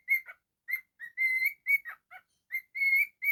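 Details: Domestic cockatiel whistling a melody: bright clean whistles alternating short notes and held level tones, with a few lower throaty dips between notes, repeated in quick phrases.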